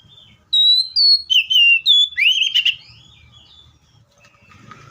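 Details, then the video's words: Seychelles magpie-robin song of about six clear whistled notes with a rising slurred flourish. Then the singer goes quiet, leaving a faint low rumble and soft distant chatter. "COPSYCHUS SECHELLARUM BIRDS SOUNDS LIKE IN NATURE LOUD CLEAR SOUNDS"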